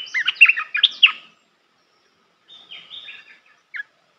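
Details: A melodious training song for young birds from a Red-whiskered bulbul: a fast run of bright, warbled notes, a pause, then a softer, thinner phrase and one last chip.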